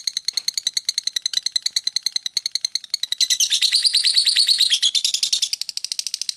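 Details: Ngekek chatter from a lovebird. Crisp repeated high chips give way to a louder, blurred buzzy burst, then return to quick separate chips.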